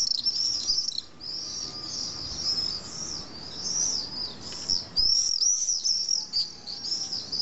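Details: Common swifts at a nesting colony in the drainage holes of a tall retaining wall on a hill in Nice, France, about twenty pairs, evening; shrill, high screaming trills in rapid overlapping bursts throughout.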